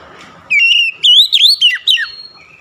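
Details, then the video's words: Oriental magpie-robin song: one loud burst of clear, ringing whistles, with a sliding whistle followed by several short rising and falling notes, then a fading high tone. Faint hiss sits underneath. "DENGAN CEPAT NYAUT BALAS GACOR SEKALI MENDENGAR OCEHAN KACER INI"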